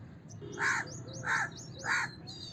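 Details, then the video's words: House crow uttering three rough, nasal caws in steady succession, with small birds chirping in high squiggly notes in the background. "House Crow Sound! House Crow Sound Effect! House Crow Call! Crow Sound! Crow Call"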